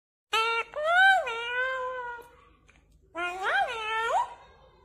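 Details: Parrot saying "I love you" in a high, nasal, speech-like voice: a long drawn-out phrase with rising and falling pitch, a short pause, then a second shorter phrase sliding up and down. Quiet room, no other sounds.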